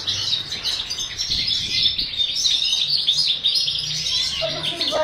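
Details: European goldfinch song from a breeding setup: a rapid, continuous high twittering with thin metallic chirps and trills. Faint low rumbles sit in the background.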